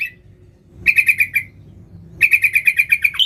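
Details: Sooty-headed bulbul calling wild bulbuls: two runs of sharp, evenly spaced repeated notes, the first short and the second longer, ending on a higher rising note, with quiet low hum between.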